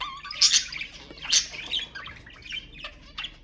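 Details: Budgerigar chatter played to stimulate budgies: sharp high chirps and squawky bursts at irregular intervals, with softer warbling between, a low whistle near the start.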